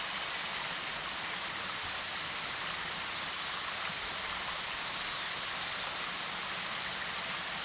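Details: Steady rushing stream water hisses throughout, broad and even, with no animal voices.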